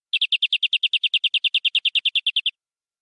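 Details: Local canary, described as a wild forest bird, singing a full-isian song with luxurious cengkok variations: a steady trill of about twenty bright, high chirps, roughly eight per second, ending abruptly.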